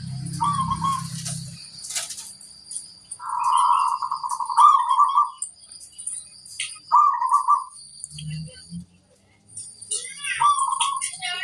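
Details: Zebra dove, a local singing bird, gives a brief trill, then a longer rolling trilled coo and more short trills, with hissing high background noise and bursts of low rumbling.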